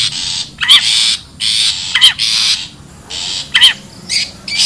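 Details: Long-tailed shrike in the wild, captured as a lure sound: harsh chattering bursts alternating with sharp zigzag notes, several in under five seconds.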